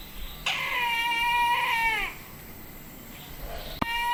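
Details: Brahminy kite (Haliastur indus), a resident bird in Myanmar, recorded at Indawgyi wildlife sanctuary in Kachin State, gives a long, wavering, mewing cry with a drawn-out quavering tone, then falls silent; a second cry begins at the end.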